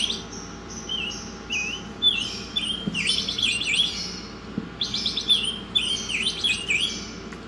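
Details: Lively Oriental magpie-robin song for masteran training: whistled phrases mixed with harsh rasping trills, a couple of soft clicks, and a constant low hum underneath.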